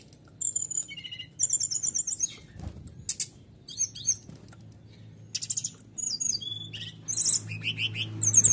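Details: Canary in a rapid, varied song used to provoke other birds into singing: high trills, buzzy rattles and sharp chips in bursts, with a faint low hum behind.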